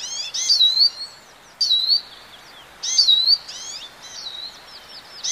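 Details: European goldfinch song: bright, twittering high phrases with liquid trills and sweeping notes, delivered in bursts about every one and a half seconds with short pauses between.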